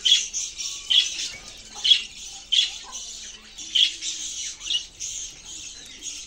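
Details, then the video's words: Budgerigar song: loud, harsh high chirps and squawks repeated roughly every second, separated by softer, scratchy warbling chatter throughout. "Sound of Budgies Birds | Beautiful Parrot Singing voice"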